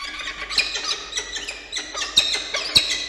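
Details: Peregrine falcon chicks, an older and a younger nestling, being fed by an adult at a nest in Orange, New South Wales, on 9 October 2022. Shrill, harmonic squealing cries repeat in quick, uneven bursts, almost two per second.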